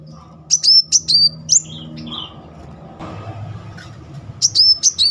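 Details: Sunbird (kolibri muncang) singing as a lure to provoke another bird; a run of sharp, high whistled notes each with a downward slur, then a pause and a second short series, faint background rumble.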